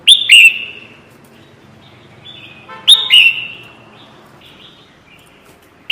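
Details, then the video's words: Red-whiskered bulbul as a trapping lure: loud double chirps, the second note dropping lower, about three seconds apart, followed by soft twittering notes and a fresh chirp at the end. "PIKAT SUARA BURUNG KUTILANG JAMBUL"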